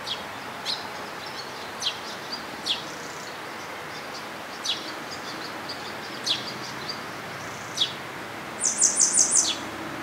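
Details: Grey wagtail recorded at Agano, Japan, on 16 May 2018: sharp, thin, high single call notes scattered every second or so, then a quick burst of five ringing notes near the end, over a faint constant outdoor hum.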